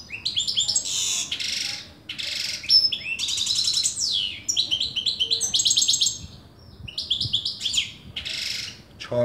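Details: Saira goldfinch from Afghanistan delivering a lively medley of sharp, high twitters, liquid trills and buzzy rattles, phrases tumbling one after another with brief gaps.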